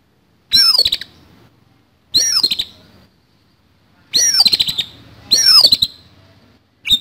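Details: Aggressive, harsh-filled song from an oriental magpie-robin: five rapid, loud phrases of grating clicks and looping high whistles, delivered in quick succession with short gaps.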